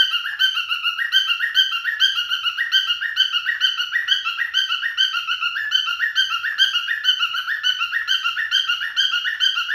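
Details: Male cockatiel singing to court a female, an unbroken stream of bright, bouncing whistled phrases in a regular rhythm of about two notes a second, sustained for nearly ten seconds.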